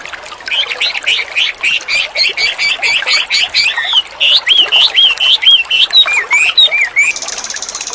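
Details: Energetic white-rumped shama song: a fast series of sharp rising whistles, about four a second, then sweeter swooping notes, ending with a brief hiss like running water.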